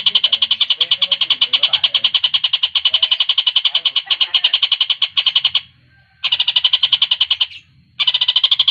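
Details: Javan cochoa trilling for use as a master recording for competition birds: long runs of rapid high notes, interrupted by two brief gaps, over faint low background rumble.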